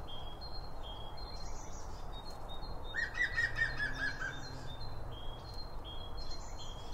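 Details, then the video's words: Birds chirping as they feed at a feeder, binaural microphones behind the feed: level whistled notes, then a fast rattling trill of repeated notes midway, followed by more high chirps over a continuous low rumble. "BIRD FEEDING SOUNDS"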